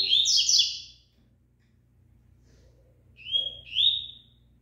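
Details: Rusty-collared seedeater, a caged bird singing while in moult: brief bright buzzy-whistled phrases, a loud burst at the start and two shorter rising-falling notes near the end, with a low steady hum beneath.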